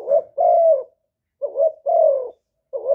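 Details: A Vietnamese decoy spotted dove from Cà Mau coos to draw in wild doves. Short hooked notes alternate with long, smooth, falling coos in a low mellow register, with clear gaps between phrases.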